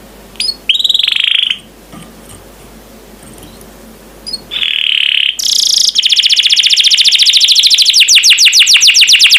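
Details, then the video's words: Canary song from a training master recording: a few scattered high notes over quiet hiss, then loud continuous fast trills of repeated sweeping notes. "MASTERAN KENARI JUARA"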